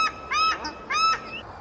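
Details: Paradise shelduck in a New Zealand wetland in the afternoon, a very vocal bird heard across its territory. Two loud, nasal, harmonic honks about half a second apart, each with a short rough tail, over quiet background.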